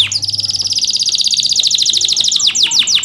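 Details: Persistently singing canary, offered as a master song to train reluctant canaries: a long, rapid, even trill of bright repeated notes, closing with a few slower descending sweeps; a quiet low hum early on.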